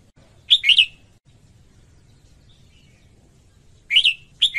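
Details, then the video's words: Female red-whiskered bulbul song meant to stir males: one brisk two-note chirpy warble, a pause of about three seconds, then two more warbled phrases in quick succession. "Chào Mào Mái Hót Kích Trống Căng Lửa"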